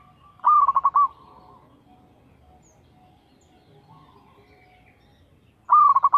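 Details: Local zebra dove (perkutut) giving its regular lure song: a crisp phrase of a high opening note and rapid bubbling coos, a long quiet gap with faint soft tones, then a second phrase.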